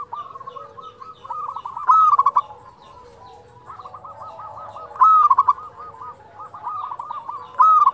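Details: A local zebra dove sings energetically, used as a tutor bird for reluctant singers; three loud fluted coo bursts roughly three seconds apart, each ringed by long series of softer, evenly spaced rolling coos from other doves.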